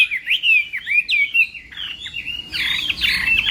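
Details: Chinese hwamei in morning voice training for a singing contest: loud, varied whistled phrases sliding up and down, several rapid notes in a row, with a brief change in background tone near the end.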